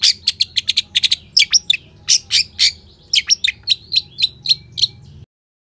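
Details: Long-tailed shrike delivering lively, dense song with sharp shot notes, used as lure and tutor audio for shrikes: fast runs of harsh high chirps, some downslurred, in rhythmic series before stopping abruptly.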